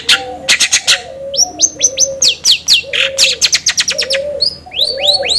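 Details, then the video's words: Long-tailed shrike song played as a lure to prompt another shrike to sing readily: bursts of sharp high ticks, then clear downslurred whistles repeated in quick series, over lower soft cooing-like tones. "PANCINGAN CENDET AGAR CEPAT gacor"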